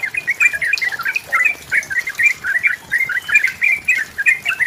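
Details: Yellow-vented bulbul song used as a lure to get a rival singing. Quick liquid, gurgling notes in short bursts, spaced by brief pauses.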